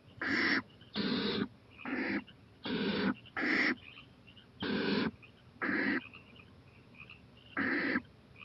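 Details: Owl out on a porch late at night, 11:26 pm, 23 April 2018, growing bolder near a playground; a steady series of eight rasping hisses, each under half a second, repeated roughly once per second.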